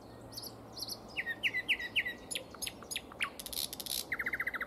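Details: Spring song of a common nightingale: paired high notes, a series of rising slurred whistles, loud broadband buzzy bursts, then a rapid burst of repeated sharp notes, with a faint low hum beneath.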